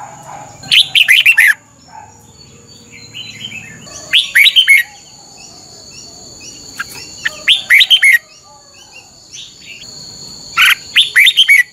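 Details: Morning training song of a caged Red-whiskered Bulbul. Four short phrases of bright, quickly slurred whistles come about every three to four seconds, with a soft low murmur early on.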